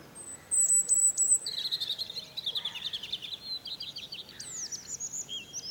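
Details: Morning song of a European robin perched on a fir: a very high, thin sustained whistle, then a fast jangling run of trilled notes, ending in high sliding squeaky notes.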